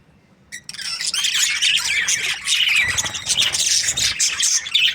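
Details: Happy Australian budgies in breeding season: a short quiet start, then a dense, overlapping wash of high, scratchy chirps and squawks from several birds that runs on without pause.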